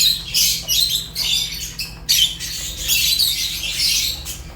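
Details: Fischer's lovebirds giving loud, shrill, squawky chirps in long overlapping bursts with brief gaps, high and rasping, a low hum underneath.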